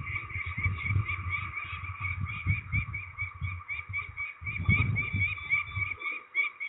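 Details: Peregrine falcon being ringed at Trzebież, Poland, 13 May 2019: a fast, continuous string of grating calls, several per second, over heavy low rumbling handling or wind noise that drops out briefly near the end.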